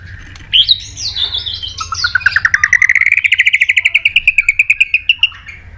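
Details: Provoked white-rumped shama, flicking its tail on its perch, in fighting song during competitive song training. A few fluty slurred notes lead into a long, fast, even trill of clipped notes that slowly rises and then levels off.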